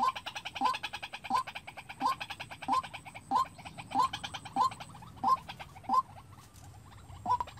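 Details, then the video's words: Lure White-breasted waterhen kept for trapping, calling alone: evenly repeated short hooked notes roughly every 0.65 seconds, fading near the end, with continuous fine high ticking behind. "Tập quốc mồi tự chơi-Tiếng quốc đi bẫy"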